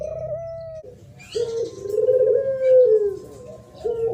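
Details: Spotted dove thổ pháp song, a style used to stir up rival males and females: a level coo breaks off, then a long wavering coo rises and falls, with faint chirps above.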